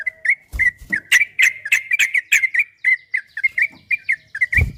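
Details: Long ropel-style masteran of a yellow-vented bulbul, used to make pet bulbuls sing back: a fast run of short chirpy, bubbly notes, evenly spaced, with sharp clicks at start and end.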